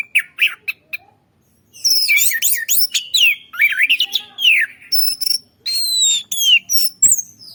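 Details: Orange-headed thrush kept as a forest lure bird, singing a rich, varied phrase of high slurred whistles and quick rising and falling notes, with short bursts after a brief pause and a sharp tick near the end.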